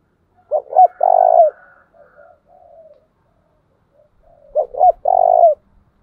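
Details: Spotted dove decoy, kept to train doves, repeating its 'chìm' coo phrase twice about four seconds apart. Each phrase has two clipped rising notes and a long even coo. Low soft cooing runs between them.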